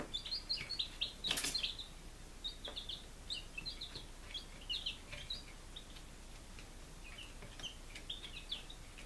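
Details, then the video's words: Five-day-old chicks raised at home in Lunenburg, Massachusetts, July 2017, chirping in quick runs of bright high peeps, busy at first then thinning out, with a brief rustling burst early on. "Baby Chickens - Day 05"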